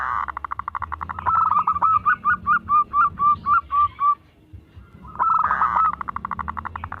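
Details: Local zebra dove kept as a singing lure gives a rapid buzzy run that settles into evenly spaced hooked coos, a short silence, then another rapid rattling run of notes.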